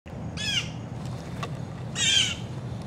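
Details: Blue Jays, a noisy group of about fourteen adults and young, calling from an oak beside a feeder while coming for peanuts at breakfast; two harsh, descending, layered jay calls about one and a half seconds apart over low background rumble.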